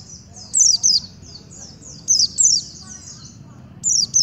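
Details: White-eye singing aggressively at a sunbird. High, thin, slurred notes come in short bursts of two or three, with pauses between groups. A faint low hum sits underneath.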